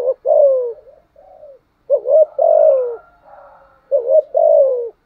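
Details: Spotted dove decoy cooing without pause, three phrases of stuttering rising notes and a falling hoot, joined by softer trailing murmurs and a faint higher tone.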